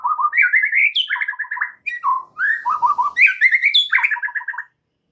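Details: White-rumped shama song used as a lure to make another shama sing its full repertoire: varied clear whistled phrases, rapid trilled notes stepping between low and higher pitches, short jumps upward, with brief pauses between phrases, ending in silence.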